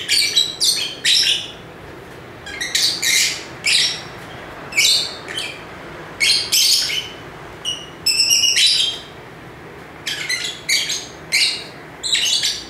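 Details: Energetic lovebird chatter: many sharp, scratchy high chirps in irregular bursts across the whole stretch, one rapid trilled group standing out, over a quiet room background.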